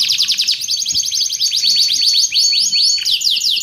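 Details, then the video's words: Canary song for training and luring: rapid chains of sharp descending whistles and high chirps over a steady thin whistle, continuous and bright. "Suara Kicauan Burung Kenari Menggila Untuk Masteran Dan Pikat"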